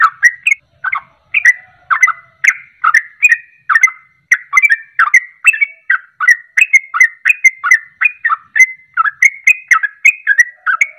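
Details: Sooty-headed bulbul song played to provoke other birds into answering, a continuous stream of liquid, warbled whistles, each note quickly rising and falling, repeated roughly three times a second without a break.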